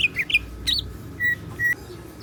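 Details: Captive greater green leafbird (cucak ijo) singing in gacor style with siklon fill-in notes: a few quick chirps at the start, then two separate steady pure whistles, each held about a fifth of a second, over low hum.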